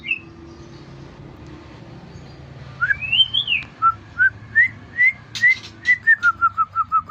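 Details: White-rumped shama, a competition-grade bird, singing after a quiet start: a rising and falling whistled phrase followed by a rapid series of short clear whistles, about fifteen notes, slowing and dropping slightly, over low background hum.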